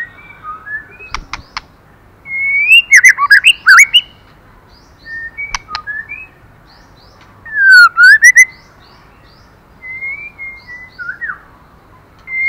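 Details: Song of a female white-rumped shama urging on the male. Several bursts of varied, rapid notes and clear whistles are spread across a quiet background, with one descending-then-rising whistled phrase near eight seconds.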